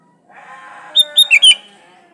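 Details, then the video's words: Sooty-headed bulbul song used to lure other bulbuls into singing; a quick phrase of four bubbly whistled notes rising over a lower, drawn-out wavering tone underneath. "Suara burung kutilang gacor Asli tanpa isian Ampuh buat pancingan kutilang gacor"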